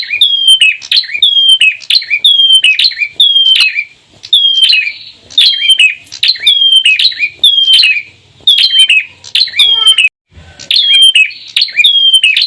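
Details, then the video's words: A male and a female bar-winged prinia give loud, sharp chirping phrases, each with a bright falling note, repeated roughly every second in a steady, lively run. "BURUNG CEMBLEK CEPLIR VARIAN GACOR ANTARA BETINA DAN JANTAN"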